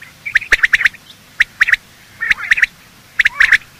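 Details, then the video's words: Morning calls of male and female quail, a recording meant for luring quail when hunting: short sharp chirping notes in quick clusters of two to five, separated by brief pauses, with faint background hiss. "Quail calling sound: master the Art of Quail tripping | Bater Awaz Subha"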